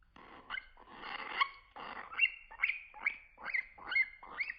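A young cockatiel gives rapid, raspy rising calls, repeated over a second, while begging for food.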